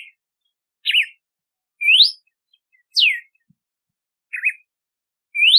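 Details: Galo de campina, or red-cowled cardinal, repeats loud clear whistles roughly each second, alternating wavering zigzag notes, rising sweeps and a steep downslur, in an otherwise quiet setting.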